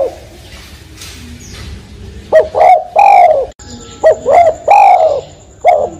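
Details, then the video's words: Spotted dove calling, loud, close coos in short groups: soft, hollow, falling notes repeated in pairs and triplets, with a faint steady high tone in the background. "Suara Burung Tekukur | Burung Dekukur"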